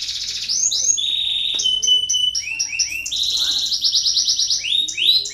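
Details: Canary song used as a lure to stimulate lazy canaries to sing: varied high phrases, with rapid rolling trills, sliding whistled notes and a sharp descending sweep, shifting between tours every second or so.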